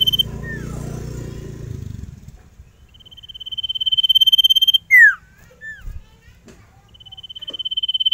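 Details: Sirtu song: long, even, fast trills on one high pitch, broken by a steep downward sweep. Rustling background noise fills the opening seconds.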